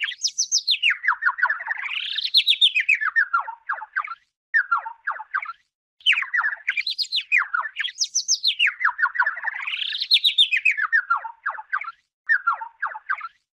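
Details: Warbler singing while bathing in a plastic bottle during the dry season: fast rattling runs of chirps that swoop down and climb back up in wavy phrases, with short pauses, the whole pattern repeating after about six seconds.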